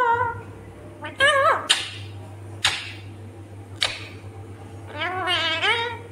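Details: Pet parrot talking indoors, said to say mummy and papa: harmonic, voice-like syllables with sliding pitch, sharp clicks and squeaks between them, and a steady low electrical hum throughout.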